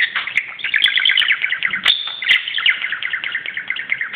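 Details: A pet budgerigar acting wild on top of a cupboard chatters in a fast, continuous warble of scratchy chirps and clicks, with a few sharper high notes breaking through.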